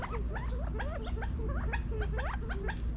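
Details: California quail feeding in a Las Vegas, Nevada backyard during fall 2022: dense, rapid chirping of upslurred notes with low clucks between, many birds calling at once over a low drone.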